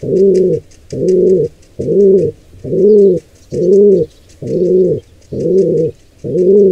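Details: Wild pigeon nestling attacked by an intruder pair: eight strong, low, hoarse coos in a very even rhythm, just under one per second, each rising and falling, with faint high ticking in the background.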